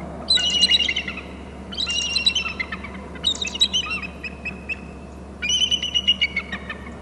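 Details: Calls from a pair of eagles at their Hornby Island nest territory, recorded by a nest camera: four separate bursts of shrill, chattering, squealing notes, each lasting about a second, with short quiet gaps and faint low hum behind.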